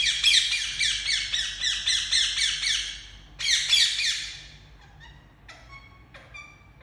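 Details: Very loud chirping by a pet Indian ringneck parakeet: a fast string of rasping screeches for three seconds, a second short burst, then softer scattered thin notes.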